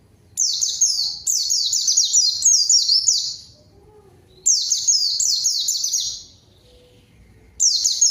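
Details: White-eye song for luring a rival and prompting quiet birds to sing: long strings of bright, high, quickly repeated descending whistles, broken by pauses of about one to one and a half seconds.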